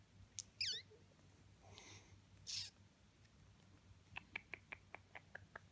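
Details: Twelve-year-old male pet Senegal parrot making newer noises when wanting something it can't have, sighing to get attention: a brief whistled chirp, two soft breathy sighs, then a quick run of sharp clicks.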